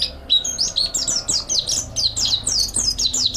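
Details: Fast, high twittering from a mountain white-eye used as master song for training: short sliding chirps follow one another almost without pause, each note dipping then climbing, steady and busy throughout.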